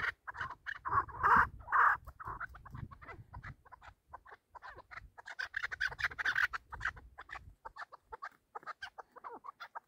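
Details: Chukar partridge, in a recording about partridge hunting, giving harsh, clucking chuk notes in quick uneven runs, louder at first, then softer and more scattered, with a faint low rumble beneath.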